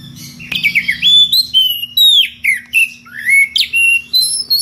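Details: Oriental magpie-robin (kacer) singing in the ngeplong style, calling a rival with unusual varied sounds: a rapid run of about a dozen clear whistled phrases, slurring down and up, over a faint steady low hum.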